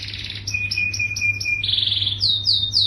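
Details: Yellow canary singing energetically: fast rolling trills, first a high buzzy series of short notes, then a long steady lower trill, ending in repeated high swooping notes, over a constant low hum.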